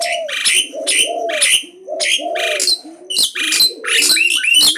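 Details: Bold Asian pied starling in continuous challenging song: grating, noisy chatter bursts roughly every half second, ending in a run of squeaky whistled slides, over a bed of low repeated cooing.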